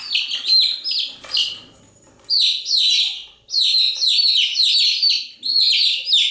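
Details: Chicks chirping: after a few scattered shrill peeps and a short quiet gap, a thick, overlapping run of high, falling chirps takes over, pulsing in waves with small breaks.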